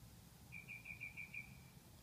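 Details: A male northern mockingbird singing at night, around 2 am, as someone arrives home: one faint series of six short, evenly spaced high notes over about a second, then a thin trailing tone, against low steady background hum.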